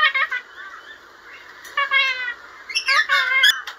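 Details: Lorikeet talking: harsh, raspy squawks with voice-like harmonic phrases, a short burst at the start, a drawn buzzy phrase midway, then a louder cluster of grating notes near the end.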